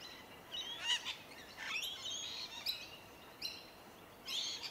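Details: Rainbow lorikeets feeding on tree violet berries in suburban Melbourne during January; harsh screechy notes, a rising slurred squeal and a few sharp bursts separated by brief quieter gaps.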